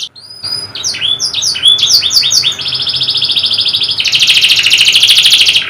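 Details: A canary sings a rich song intended to coax a stalled or lazy canary into singing. After a thin whistle come repeated clipped descending notes, followed by long, dense, buzzing high trills over faint background hiss.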